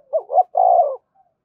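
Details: One full phrase of a spotted dove's 'thúc gù' urging coo, used for stimulating and training caged doves: two short rising notes, then a long, steady, mellow coo.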